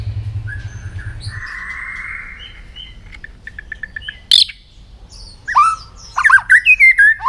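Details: White-rumped shama singing at dawn during voice training: a soft buzzy trill and a few ticking notes, then a burst of sharp, rising whistled syllables toward the end.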